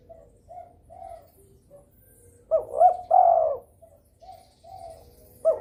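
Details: Breeding spotted dove calling so rivals join in. Soft distant coos lead into one strong phrase of two brief coos and a long wavering croon, then more quiet answering coos.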